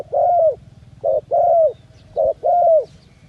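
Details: Dove in the jungle giving mellow low coos, short notes alternating with longer, slightly falling ones, three phrases in quick succession against a quiet low rumble.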